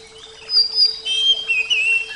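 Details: Oriental magpie-robin giving long, clear, drawn-out whistles, some level and some gently wavering, with a steady low hum beneath.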